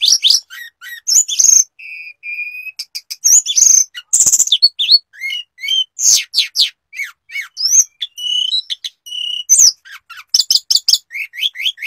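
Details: Hill blue flycatcher, or sulingan, a bird that copies other species' tones, pours out a varied medley: slurred whistles, short chirps and a few held flat notes, quick and restless.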